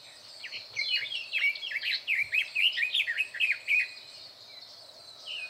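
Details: Red-billed leiothrix belting out its song within a thicket, recorded 21 May 2024; a fast, jumbled burst of sweet whistled and twittering notes lasting about three seconds, followed by quieter pauses.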